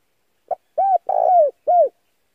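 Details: Cooing phrase of a male spotted dove, a lure call for wild doves: a brief opening note, then an arched coo, a long wavering coo sliding down, and a closing arched coo, all low and mellow.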